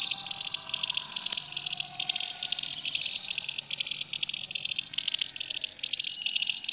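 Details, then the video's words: A lovebird pours out a long, unbroken, shrill chattering trill, high-pitched and rapidly pulsed, running without pause for the whole stretch. "Kicau love bird kekekan panjang"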